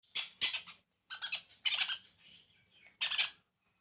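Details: Conure chicks being hand fed, giving harsh, noisy begging calls in short bursts with pauses between them.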